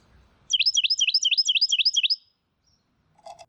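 A Carolina Wren sings a loud, rolling run of about seven quick, high, ringing phrases, each sweeping down, over under two seconds. A short low buzz follows.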